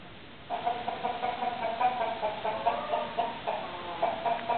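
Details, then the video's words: Flock of domestic chickens with roosters, clucking almost without pause after a quiet start, a dense chatter of short, overlapping nasal notes that rise and fall in loudness. "Our chickens and roosters"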